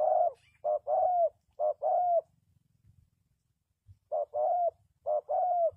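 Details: Calling spotted dove, a lure bird for trapping wild doves, utters paired coos, a brief note then a sustained downward-sliding one, in two bursts separated by a silent pause of nearly two seconds.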